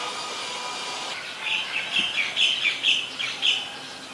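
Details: Adult Common Tailorbird, a common resident, recorded in Ubon Ratchathani, Thailand, on 2 March 2023. After a second of quiet, about eight sharp, bright chirped notes repeat quickly and somewhat unevenly over faint background hiss.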